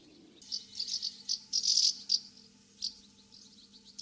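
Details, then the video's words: Common house martins calling while flying around their nest site in the UK in summer: dry, high rattling chirps in short bursts, clustered in the middle then spaced out, over a steady low mechanical hum. "House Martin Calls and Nest Site"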